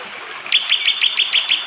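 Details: Sharp, hard 'tembakan' song of a bar-winged prinia, seven rapid clipped high notes in just over a second, from morning forest in Panggul, East Java, Indonesia, recorded on an android phone amid constant rain and insect hiss.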